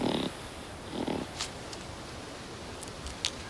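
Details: Kakapo on Little Barrier Island (Hauturu), New Zealand, one of its only suitable breeding sites, gives two harsh, rasping, grunt-like calls about a second apart, then a few faint clicks and rustles against a quiet background.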